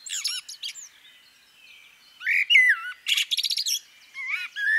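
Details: Scattered high chirps from a female common blackbird, a quiet gap, then a swooping whistle, a fast rattling series of clipped notes, and a final falling whistle.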